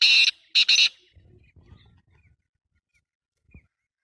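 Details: Black francolin giving loud, harsh, grating call notes: a burst at the start, then a quick double burst, followed by quiet low rustling.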